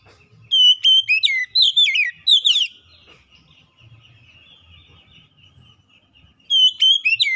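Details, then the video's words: Kacer lure song for making quiet birds sing, with a rapid burst of sharp falling whistles, a long near-silent gap with faint low rumbling, and a final short whistled phrase. "kicauan Kacer pemikat | Kacer malas bunyi terpikat langsung gacor"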